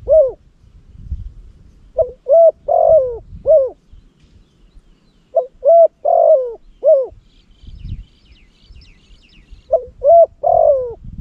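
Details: Spotted dove kept in Cambodia as a decoy for luring wild doves and prized for a loud, full voice. Three well-spaced phrases of four or five mellow coos, the middle notes rougher, with soft low background noise and faint distant chirps.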